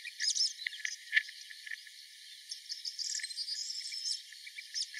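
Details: Melodious warbler recorded at Mila on 4 May 2021, giving a rapid, chattering warble of high, scratchy notes in two bursts, the first brief and the second longer and more continuous, over faint background hiss.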